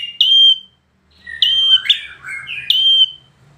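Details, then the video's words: Bar-winged prinia, a performance bird, singing long, steady high whistled notes that alternate with lower buzzy, wavering slurs. Three whistles come in under four seconds over a faint background hum. "PRENJAK KLAWU PRESTASI"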